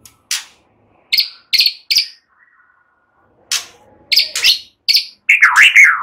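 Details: White-rumped shama in relaxed singing, cililin and ciblek phrases; sharp buzzy chips in short bursts separated by pauses, ending in a rolling, wavering whistled phrase.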